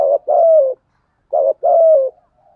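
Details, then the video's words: ['Spotted dove cooing to stimulate other doves: two paired phrases, each a short note followed by a longer, slightly falling coo, separated by a brief pause.'] "chim cu gáy thúc gù đủ sách bổi nghe ăn lại ngay"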